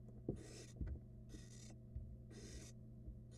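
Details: In a Florida nest box, two barn owl nestlings feed on rats; three drawn-out rasping hisses about a second apart, over a constant low hum with occasional knocks and scrapes.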